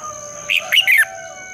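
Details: Red-whiskered bulbul singing in the morning in the long, double, twisting style, used as a lure bird to train and spur other bulbuls to sing: three quick, warbled, whistled notes within one second over a faint steady electronic hum.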